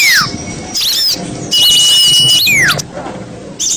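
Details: Lure sound used to attract small birds: loud, shrill squeals and whistles, some sweeping sharply downward, alternate with long, steady, piercing high tones in short bursts separated by brief pauses.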